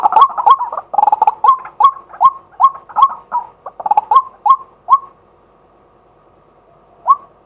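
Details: Live daytime recording of a male White-breasted waterhen from a set-up camera: rapid harsh croaks settle into a run of rising, hooked notes about every third of a second, then silence and one last note.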